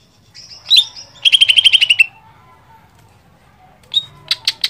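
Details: Greater green leafbird, a kept songbird, singing to provoke another leafbird into song: a thin high note, then a fast run of about nine bright chirps slightly falling in pitch, a pause, and three sharp high notes.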